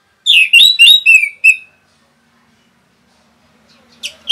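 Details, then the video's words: Orange-headed thrush in rapid song used to stir up other birds: five quick, loud, slurred whistled notes falling in pitch within about a second, then silence and one faint note at the end. "SUARA RAPET ANIS MERAH BIKIN EMOSI BURUNG NAIK LONCAT INDAH LANJUT NGEPLONG GACOR TELER NGOTOT"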